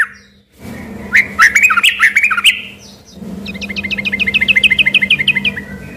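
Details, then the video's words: Sooty-headed bulbul, whose song locals first took for an oriental magpie-robin, gives a tangled burst of rich warbling notes, then a fast, even trill of about twenty short repeated notes, with a low background hum. "semula di kira suara burung MURAI BATU beneran eh ternyata cuma suara TRUCUK GACOR"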